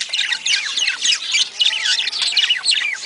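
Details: Budgerigar chatter used to trigger mating: a thick, lively mix of chirrups, squeaky whistles and gravelly warbles from several birds, continuous throughout.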